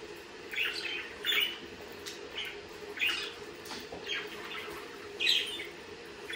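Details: A budgerigar repeats scratchy, warbling chirps every second or so, each note brief and slightly buzzy, with faint clicks between calls.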